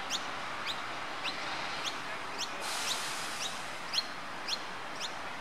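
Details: Australasian grebes at Brisbane Botanic Gardens, Mount Coot-tha, Queensland, Australia, on 30 October 2013: short, sharp, upward-sweeping chirps repeated roughly every half second over a steady background hiss.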